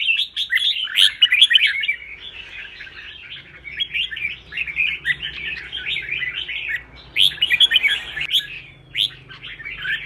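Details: Red-whiskered bulbul trained for song contests, singing in combative style: long bursts of fast, jumbled whistled phrases separated by brief gaps, bright and chattering throughout.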